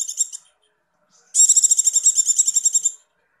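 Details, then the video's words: Female Javan white-eye in breeding condition, 'ngecir' call intended to raise males' breeding drive; a brief trill tail, then one shrill, rapidly pulsed trill of nearly two seconds that fades at the end. "pleci birahi negcir icir" icir" ampuh buat pancingan"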